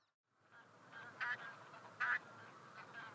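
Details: Taiga bean goose, Anser fabalis, giving a few loud nasal honks around the middle of the recording, set against a steady murmur of more distant goose calls, likely a flock.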